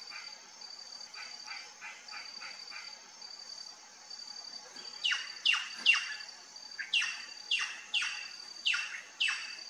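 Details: Plush-crested jay (Cyanocorax chrysops) at a feeder: soft clipped notes, then loud, steeply falling whistled calls about twice a second, with a steady high insect-like whine behind.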